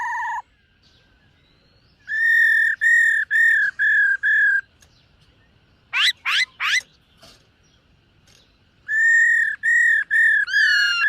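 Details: Black-throated laughingthrush singing in the morning to train its voice, while dancing: loud, clear whistled notes repeated in steady series, a trio of sharp rising-falling sweeps in between, then another run of even whistles ending in a slurred phrase.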